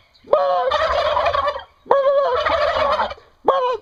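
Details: Domestic turkeys gobbling: two loud rattling bursts of about 1.3 seconds each, opening with a sharp rising note and then a dense quavering babble, with a third burst starting at the end.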